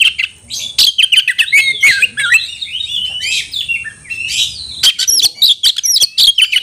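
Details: Oriental magpie-robin calling a rival to fight, pouring out a varied whistled and chattering song with harsh rasps, ending in quick repeated sharp notes.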